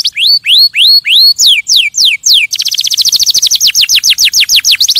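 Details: Canary singing to stimulate other birds: bright, high swooping notes repeated in quick series, then a rapid rolling trill of fast downward-sweeping notes.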